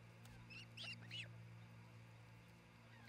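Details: Nest-cam recording from Charlo, Montana, 27 June 2018, early afternoon, where an osprey couple is building a new nest: three clipped, high, slightly buzzy chirps in quick succession, then quiet, with a steady mechanical hum beneath.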